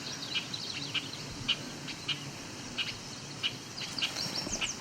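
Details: An annoyed male Bobolink up a tree at a field edge near Cape Chin North, Ontario, on 17 July 2019, gives sharp, high, metallic chips at the approaching observer, about two a second, over a thin hum and low rumble.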